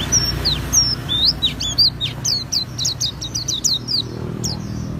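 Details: Auri Oriental white-eye singing hard in the ngriwik manner with fill-in notes: clear, high, descending whistles followed by a rapid series of bright chirps repeated several times a second.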